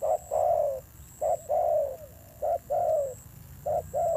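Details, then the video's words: Spotted dove, a trapped wild bird with a fierce voice, repeating paired low coos, a short note then a longer one that slides downward, about once a second, over soft rumble and an intermittent faint high whine. "Thổ Gù âm dữ"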